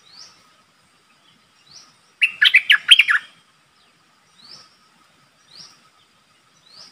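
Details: Decoy streak-eared bulbul calling in a wild flock: one burst of rapid bubbly chattering in the middle, surrounded by thin, high, rising whistled notes repeated every second or so from another bird.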